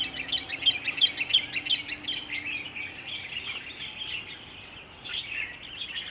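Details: Himalayan bulbul, also called white-cheeked bulbul, drinking water in the Margalla Hills, Islamabad, Pakistan; bright, chattering high chirps repeated rapidly in a run, then looser scattered notes over faint background hiss.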